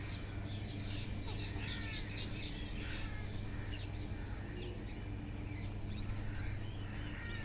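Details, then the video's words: Wild parrots feeding in a flock: a scatter of short, high chirps and rasping notes throughout, set against a constant deep background rumble. "wild parrots // eating talking // natural sound"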